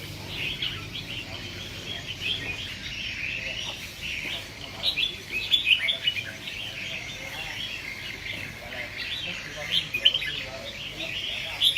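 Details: Continuous chattering song from caged red-whiskered bulbuls bred for fighting spirit: fast runs of twittered, warbling notes with sharper loud accents, steady over soft background noise.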